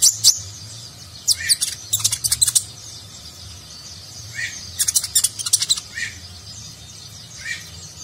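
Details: Sunbird (konin) training song in nagen style for contest birds: clustered bursts of very high, sharp chirps and trills separated by short pauses, over a steady low hum.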